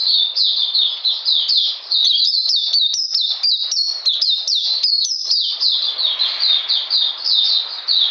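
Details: Oriental magpie-robin song during cold rainy weather, 13 June 2020, a fast chatter of high sliding notes, several per second, continuing almost unbroken across the whole stretch.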